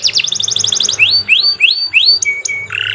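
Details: Canary song recorded as a tutor track for training young birds, described as long and continuous: rapid repeated high notes, then a series of rising slurred whistles, ending in steady sustained tones, with a faint low hum beneath.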